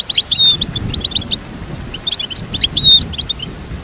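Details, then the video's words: Short goldfinch song phrases: quick high tweets interlaced with bright buzzy trills and a drawn-out whistled note, repeated twice within four seconds. "Teach your goldfinch to sing beautiful motivational songs"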